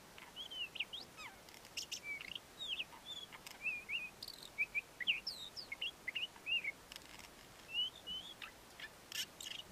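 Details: Ant-eating Chat male in courtship song, delivering a busy run of brief whistled slurs, upswept and downswept, nearly continuous, with scattered dry clicking notes and faint background hiss.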